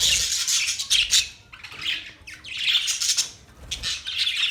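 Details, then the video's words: Budgies giving harsh, scratchy squawks and chirps in grouped bursts roughly every second, louder phrases separated by quieter dips, mixed with short whistled notes. "Budgies singing | Budgies sounds | Budgies talking | Budgies chirping sounds"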